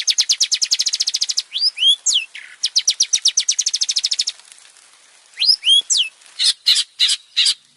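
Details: Male long-tailed shrike singing vigorously with many variations: fast rattling trains of harsh notes, broken by slurred rising and falling whistles, then a few spaced buzzy chattering bursts.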